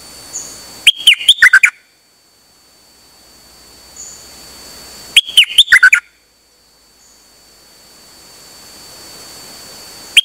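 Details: Song of a นกดอกแตง bird recorded 8 September 2023, described as taken out on an outing and singing nonstop: two bursts of rapid, sharp, chipping notes about four seconds apart, each lasting under a second, with a faint steady high hiss.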